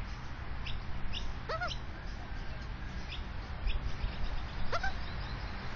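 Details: Nesting Australian magpie with chicks, south-east suburbs of Melbourne, Victoria, caught by a security camera taped to branches above the nest; thin rising chirps and short downward-swept notes in scattered bursts, with constant low hum and rustle beneath.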